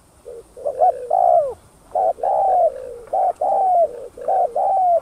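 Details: Spotted dove cooing to lure other doves, thúc gù style: a near-continuous run of mellow, rounded hoots, with several longer notes that swell and then slide down. The phrases come in quick succession, about one per second.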